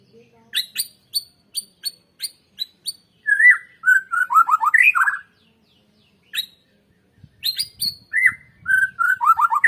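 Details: White-rumped shama song, a recording used to stimulate other birds to sing: series of sharp high chips, then rich rolling whistled phrases. Brief pauses separate bursts that mix high ticking notes with lower fluty, rising and falling whistles.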